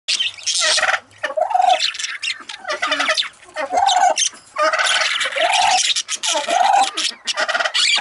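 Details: Young budgerigar chattering: continuous scratchy warbling with raspy buzzes and short squeaky notes, in bursts separated by brief pauses.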